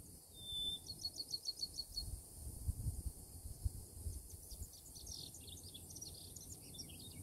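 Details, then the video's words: Bachman's sparrow in southeastern Florida gives a long, pure high whistle, then a quick, even trill of about a dozen notes, followed by softer jumbled high notes over low rumbling noise. "Bachman's Sparrow"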